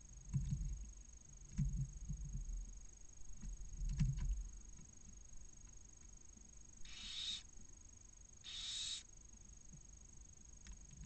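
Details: Inside a barn owl nest in Cabañeros National Park, Spain, where a male brings a mouse to a newly hatched chick: two short, loud hissing bursts near the end follow low muffled bumps and shuffling.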